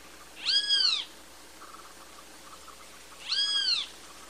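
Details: ['Great kiskadee calling two long, arched, nasal notes about three seconds apart against a quiet background.']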